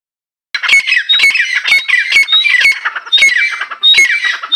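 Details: Female grey francolin calling: loud, harsh squawking notes with bright high whistled overtones, delivered in rapid bursts about every half second after a brief silence.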